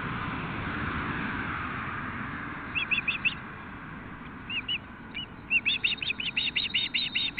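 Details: Osprey at a nest in Nelson, British Columbia, recorded by nest camera at 5:33 pm on 25 June 2016 as a fish is brought in: series of sharp, whistled chirps, sparse at first, then rapid and regular, over steady wind-like rumble.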